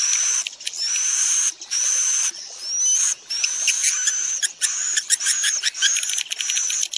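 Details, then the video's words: Calling swiftlets, used to attract them to roost in a building. Bursts of harsh, high chattering broken by brief pauses, with thin whistled notes sweeping upward through the bursts. "Suara panggil burung wallet menginap"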